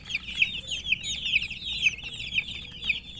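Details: Chicks of domestic chicken crying from thirst for water: a close flock of shrill, quick descending peeps overlapping in a steady chatter, with louder individual chirps roughly every half second.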